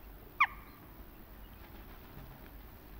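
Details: A single sharp, clipped 'tchak' from a Western jackdaw in autumn, slightly falling in pitch, against a faint low hum of background noise with insects.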